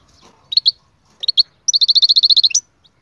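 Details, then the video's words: Canary song: two pairs of sharp chirps, then a steady trill of about a dozen fast repeated notes, ending with a short rising flourish. "أقوى تغريد مقنين"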